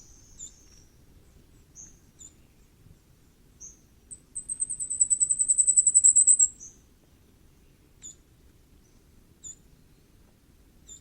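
Common firecrest giving very high, thin single notes, then a quick run of about fifteen sharp notes that speeds up over two seconds; faint low background hum.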